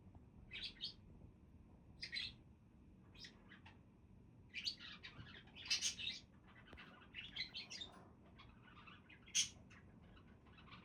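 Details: Chattering budgerigars give scattered groups of high, scratchy chirps and warbling squeaks, several louder bursts in the middle and one sharp piercing note near the end, over a quiet low hum.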